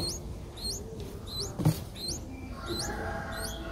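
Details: Five-day-old Streak-eared Bulbul nestlings in Ubon Ratchathani, Thailand, on 7 April 2023, give thin, high, upslurred squeaks, two overlapping series about twice a second, over low rumbling background noise and one soft thump.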